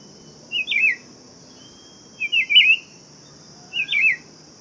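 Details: Buff-throated Saltator singing: three short whistled phrases, each a quick slurred, wavering note pair sliding up and down, spaced about 1.5 seconds apart over a steady high hiss.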